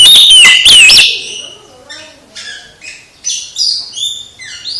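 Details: Oriental magpie-robin song aimed at a sulking magpie-robin to get it singing: a second of loud, sweeping whistles, then quieter, separated high chirps and short warbles.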